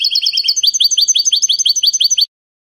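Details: A Spanish-style song-trained European goldfinch named Rocky sings salon song: a quick, liquid twitter of high slurred notes, roughly eight a second, running steadily for two seconds before stopping abruptly.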